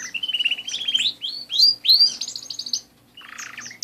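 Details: Canaries singing: a steady rolling trill leads into loud rising whistled sweeps and a bright sustained warble, then a brief pause before a lower buzzy trill and a final high note.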